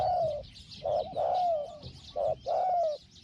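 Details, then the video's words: Decoy spotted dove with a small voice, calling while wild birds are lured: mellow coos, a brief note followed by a longer gently falling one, heard twice, with insect hiss behind. "ต่อนกเขาใหญ่ "เจ้าสาม"ตามตัวหมาย เสียงเล็ก หองๆ"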